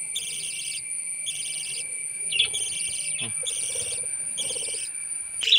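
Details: Baby lovebirds being fed, making repeated buzzy, rasping bursts about once a second, over a steady high-pitched tone, with a few clicks and handling noises.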